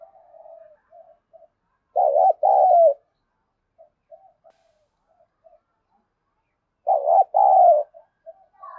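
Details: Spotted dove in a thổ-voice style, cooing to provoke a contest, with high aggression. Two loud two-part coos, about five seconds apart, each a wavering note then a longer steady one, with soft faint coos between.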